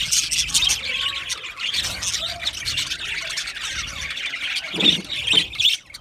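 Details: Budgies chirping and warbling together: fast high twitters, a few short clear whistled notes and squawks, with a couple of sharper louder calls near the end.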